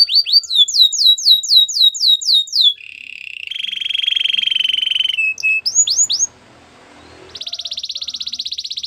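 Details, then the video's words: Singing white canary with a varied song: quick run of falling whistled notes, then rolling buzzy trills, a few upward sweeps, and a final bright rapid rattle; no other sounds clear. "Canary singing birds sounds at its best | White canary singing"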